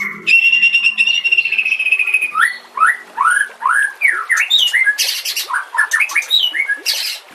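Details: White-rumped shama song used as a master recording to train other shamas, mixed with nature sounds and trickling water: a long steady whistled note with a rattling edge, then a run of quick downslurred whistles, ending in harsh buzzy bursts.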